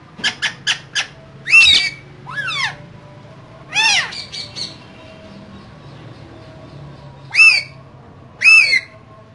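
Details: Two caged green parrots: a quick series of short clicks, then loud arching squawks with falling tails, spaced out over several seconds with quiet gaps, and two final bright calls.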